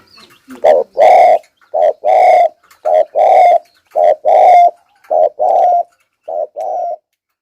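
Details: Wild forest spotted dove used as a lure, giving loud thúc gù cooing: an evenly paced series of about ten low, hollow coos, each under a second long, with brief silences between them.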